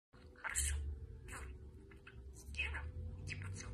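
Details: Pet budgerigar that likes to talk, chattering indoors in four short, scratchy, high-pitched bursts over a low hum.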